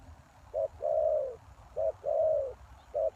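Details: Lure call of a spotted dove for wild doves: a short coo followed by a long, slightly falling coo, given twice, then a third short note begins. The background is quiet.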